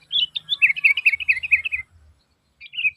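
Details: Sooty-headed bulbul calling as a lure for other bulbuls: a fast, lively string of chirpy notes that drops slightly in pitch, with faint low rumbling underneath.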